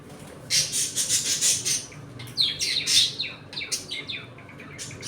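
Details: A flock of pet budgies, eating, playing and squabbling, bursts into a long grating squawk run, then rapid chirps and twittered notes from several birds indoors.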